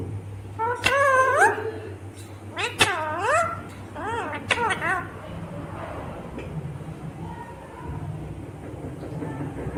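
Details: Green ringneck parrot, a talking rose-ringed parakeet, produces several quick upward-sweeping, word-like syllables early on, then trails off into quieter murmurs over a background hum.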